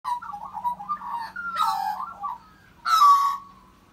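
An Australian magpie warbles a rich, fluting run of mid-pitched notes, broken by two louder gurgling bursts; a faint steady hum sits underneath.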